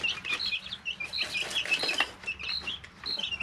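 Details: Three-week-old domestic chicks in a brooder, several calling together: high, thin peeps and short chirps, many overlapping and rising or falling quickly, with soft scratching and rustling of bedding underneath.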